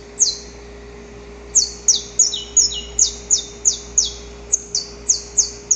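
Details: Saffron finch, male singing at pre-dawn to court the female, recorded in nature: one high chirp, a one-second pause, then a burst of overlapping sharp descending notes, settling into a regular series of bright chips about three per second.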